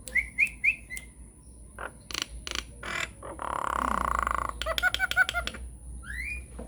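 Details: Nias hill myna in lure song to get silent mynas singing: three quick upslurred whistles, hoarse broadband croaks, a long buzzing rasp, a rapid clicking series and a final rising whistle.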